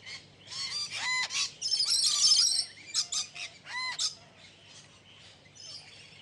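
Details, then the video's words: Several exhibition budgerigars squawking and whistling: rising and falling whistled notes, harsh screechy squawks and thin chirps overlapping in a lively, irregular chorus. "Parrot Natural Voice | You Can Hear Different Types of Sounds | Parrots Talking Sound"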